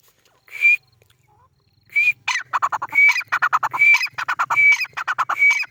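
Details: Captive white-plumaged francolin (teetar), a home-bred white variety kept in a house in Pakistan, calling in a loud rhythmic series. Harsh, raspy notes repeat rapidly, each with a sharp whistled tone, after two brief opening notes.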